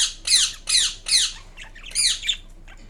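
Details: A pet green Indian ringneck parakeet gives four loud, harsh squawks about every half second, then a few softer chattering notes; nothing else is heard.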